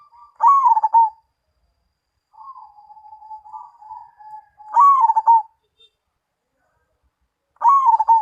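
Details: Perkutut, the zebra dove, singing Mojopahit style: three loud coo phrases about four seconds apart, each stuttering downward, with a soft trilled run of low coos filling the gap between the first two.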